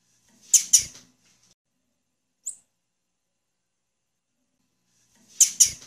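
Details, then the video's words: Female blue-black grassquit calling: a pair of very high, sharp, buzzy chips near the start, a lone thin tick in the middle, and another matching pair at the end, with silence between. "Piado de fêmea de tiziu"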